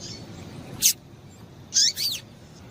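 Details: Female double-collared seedeater calling to excite the male, a 'tui tui' type call: one sharp high chirp, then two quick notes sliding downward, separated by pauses over steady faint hiss.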